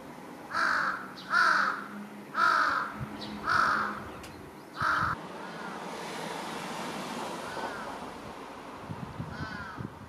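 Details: Large-billed crow calling from atop a utility pole in a residential area, recorded 1 July 2023: five loud, harsh caws about one per second, then quieter distant caws and steady background hum.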